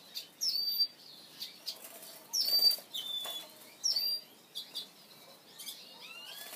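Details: A male red-fronted serin gives high, thin twittering bursts, short tinkling phrases about once a second. Soft fluttering and rustling sounds come between the phrases.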